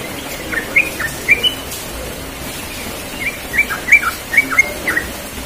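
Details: In the morning, a relaxed yellow-vented bulbul (Pycnonotus goiavier) gives short, bubbly chirped notes around mid-pitch, in two loose bursts separated by a pause, with faint background hiss.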